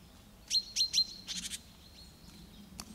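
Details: Great tit song: three loud, sharp, downward-sweeping notes in quick succession, followed by a short burst of buzzy, rasping chatter and a faint thin whistle, over quiet background hum.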